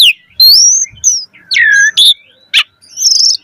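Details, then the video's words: Asian pied starling singing, meant as a lure to get starlings singing: long clear whistles, a swooping downslurred note, short harsh bursts and a high wavering whistle, separated by brief pauses. "Suara Jalak Suren Gacor Full Isian Auto Respon buat Pancingan Burung Jalak Agar Gacor Isian Mewah"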